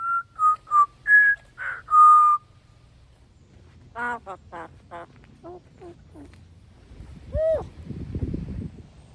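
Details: Pet African grey parrot making assorted noises: five short whistled notes, then a series of rapid, clipped, nasal pulses, and one louder rising-falling squawk near the end, with faint background rustle.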